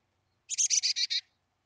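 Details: Wild chickadee at its nest cavity near Emigrant, Montana, on July 14, 2022, during summer nesting. It gives a short buzzy burst of six rapid, evenly spaced harsh notes lasting under a second, with no other sounds.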